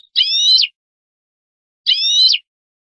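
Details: European goldfinch song from a tutor recording for teaching young birds: two identical buzzy, nasal notes with stacked bands, each about half a second, spaced well over a second apart, with clean silence between.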